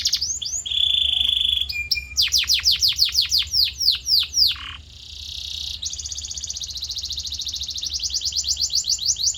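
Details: Canary training song to shape a bird's voice: fast whistled flourishes and a held steady tone, a run of sharp descending notes, a brief quiet pause with a buzzy note, then a long fast trill swelling steadily louder to the end.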